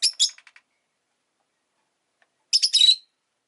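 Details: A pet rosy-faced lovebird (Agapornis roseicollis) gives shrill, harsh chirps: a quick double burst with a few trailing clicks, then a louder chattering run after a pause; street noise from cars, motorbikes and bicycles may be present.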